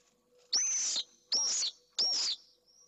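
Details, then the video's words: Pallid swift at a nest box in Jerez de la Frontera, Spain, where a male defends a nest holding a freshly laid first egg against an intruding bachelor swift: three loud, harsh, buzzy screams, each about half a second long, starting with a high whistled note. "¡DEFENSA CONTRA UN INTRUSO! - Vencejo pálido"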